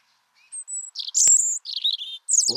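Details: European Robin singing, as both sexes do on winter feeding territories: a varied, wistful run of thin, high whistles and twittering trills with brief pauses between phrases; a short click and faint noise at the end.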